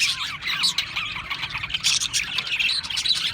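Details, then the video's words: Australian parrots twittering in a crowd, a short burst of fast, high, buzzy chirps and warbled squeaks tumbling over one another with no gaps. "Beautiful Australian Parrots Chirping sounds beautiful Parrots Sounds"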